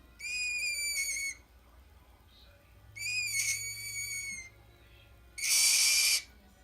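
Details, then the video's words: Pet green-cheeked conure giving two long, steady whistled notes rich in overtones, each lasting about a second, followed by a loud harsh screech near the end. "Green Cheek Conure making noises"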